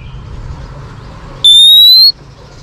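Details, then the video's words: Female Oriental magpie-robin whistling to spur on males, for training: a single loud, clear whistle held for about half a second and rising slowly in pitch, against a quiet low hum. "chòe than mái HUÝT KÈM THÚC TRỐNG.chòe than mái kích trống căng lửa.chim chích chòe than mái hót"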